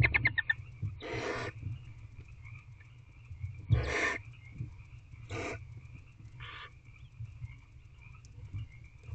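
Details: Barn owl owlets in a nest box at 8:09 pm on 15 April 2023, the eldest claiming a rodent the male delivered: four harsh noisy hissing bursts a second or two apart over a steady faint whine and low rumble.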